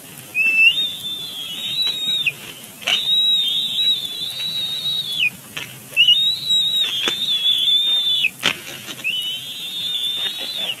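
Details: Young bald eagle at the nest, Big Bear Lake, April 27, 2022, squealing in a tantrum at the adult male; four loud, long, high whistled squeals, each sliding up then holding level, separated by short pauses.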